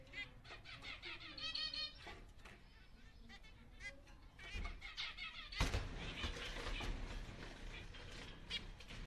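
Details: A pair of zebra finches (Taeniopygia guttata) gives nasal, toy-trumpet beeps in irregular bursts, some quick and stuttered, over a steady background rumble and clatter.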